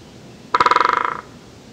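Great spotted woodpecker giving a quick, mid-pitched chattering rattle of about fourteen notes in under a second, fading slightly at the end, against quiet background.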